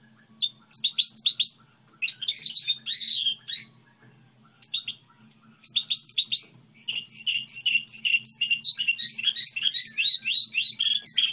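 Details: Goldfinch hybrid song model in several bursts: dense, tinkling twitters broken by brief pauses, ending in a long, lively stream of fast chirps and trills, with a faint low hum.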